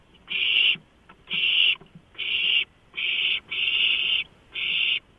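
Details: Owlets, all grabbing at a large rodent just delivered at 12:52 on 23 March 2015: six loud, long hissing screeches in steady succession, with barely a pause between some.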